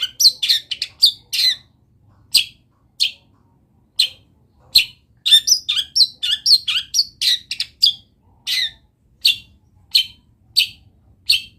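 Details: Long-tailed shrike singing a full, busy masteran song filled with wild bird notes. Bright, high chirps and trills run in quick varied bursts with brief pauses, growing dense and jumbled in the middle before easing into spaced repeated chips.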